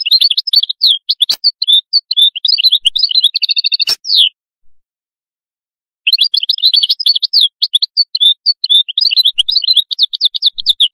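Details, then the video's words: Atlantic canary song of quick bright chirped notes and short trills, with a steady rolling tour near four seconds, faint clicks, a pause, then another run of rapid varied twitters and trills. "تغريد القادوس لاكونكورد"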